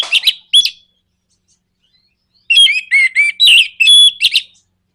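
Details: Orange-headed thrush song to stir other birds into singing: two sharp chirps, a pause, then a loud run of ringing whistles and buzzy notes in quick succession.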